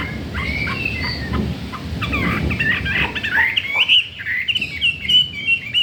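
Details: Captive Chinese hwamei, wild-caught and newly arrived, singing. The bird, said to want to breed, opens with scattered short calls over background noise, then breaks into a quick string of bright, looping whistled phrases.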